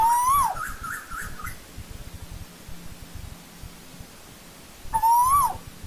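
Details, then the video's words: Old-growth forest Asian koel: two loud whistles, each climbing gradually and snapping down at the finish, nearly five seconds apart, with a brief softer series of higher notes after the first. "Tiếng chim TU HÚ rừng già"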